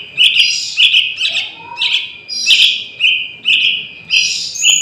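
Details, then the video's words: Juvenile Yellow-vented Bulbul, its calls meant to draw wild bulbuls to a trap: loud, piercing chirps in short clusters, some smeared and rising, repeated under a second apart, with a faint lower whistled slur partway through. "Suara Anak Burung Trucukan"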